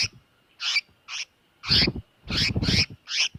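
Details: Bird distress call used as a trapping lure: rasping, broadband notes in irregular bursts, a few run together, with low thudding handling noise under the louder calls.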